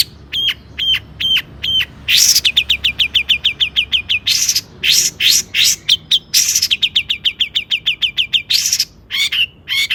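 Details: Long-tailed shrike singing a varied mimicry-laden song meant to excite other shrikes to sing: crisp clicking triplets, harsh buzzy bursts and rapid series of bright descending chirps, all high-pitched, with faint low hum underneath.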